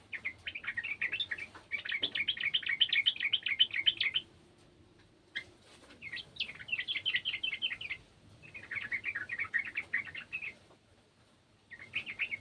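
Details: Yellow-vented bulbul from a garden singing in several long bursts of fast, bubbly, repeated chirping notes, separated by short pauses, over a quiet low hum.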